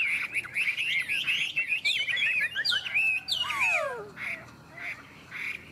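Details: Two Chinese hwamei in a singing contest, both birds unowned: a rapid, loud run of rich whistled phrases sliding up and down, ending in a string of falling slurred notes.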